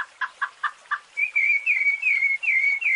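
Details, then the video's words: Rufous-bellied thrush fluted song for young birds: opens with five short, lower, hollow notes, then a run of clear whistled phrases sliding down, evenly spaced. "encarte Sabiá Laranjeira Canto Flauteado"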